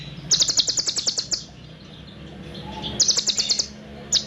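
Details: Olive-backed sunbird training song of long, dense trills: a fast run of high, sharp chipping notes, a pause with quiet background hum, then another rapid trill and a final short burst.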